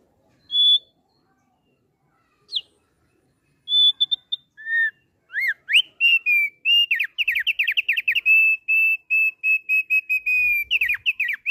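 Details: Song of a kept Thick-billed heleia: a few isolated whistles, then a rapid run of repeated sweeping upslurred whistles merging into a long, fast, steady trill of bright notes, with a faint low hum near the end.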